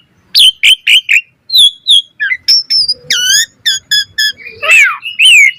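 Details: Asian pied starling in full, lively song, used as training material for other starlings: loud whistled notes and harsh chattering bursts, repeated short phrases around sharp rising and falling whistles, with brief gaps between bursts.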